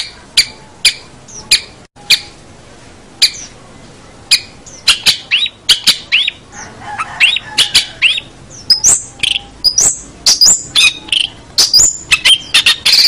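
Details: Long-tailed shrike singing on a master track meant to teach other cage birds: a varied medley of sharp chips, short whistled slurs and rising notes, sparse at first and then growing into a dense, rapid chatter.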